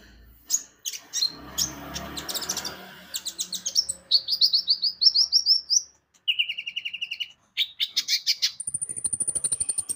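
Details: Javan white-eye (konin) lure song to set birds singing: fast, varied, high twittering with rapid repeated notes and steady whistled trills, and some faint background rustle.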